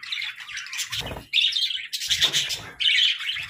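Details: Cheerful budgerigars chirp in four distinct bursts of buzzy, warbled chatter, each lasting about half a second to a second, separated by brief gaps with low thuds.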